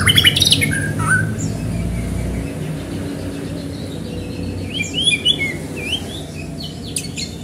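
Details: White-rumped shama singing fast to stir other shamas into singing: varied chirps and sharp whistled phrases, loud at the start, then a quieter gap and a burst of rapid notes near the end over a low background hum.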